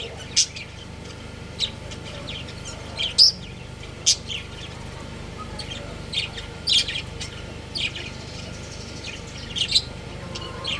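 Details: Breeding pair of budgies chirping at home: scattered sharp, high chirps and little twitters, roughly one every second or so, over a steady low hum.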